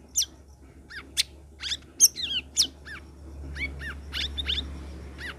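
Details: Sooty-headed bulbul song, meant to get mute cage birds singing: lively sequences of sharp down-slurred chirps and short curling whistles, rather dense, with a low drone growing louder in the second half.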